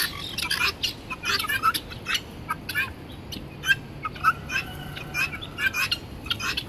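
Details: Domestic guinea fowl recorded on 31 March 2016 giving harsh, scratchy, broadband calls in short clipped bursts, about two per second with brief pauses, over a low steady background hum.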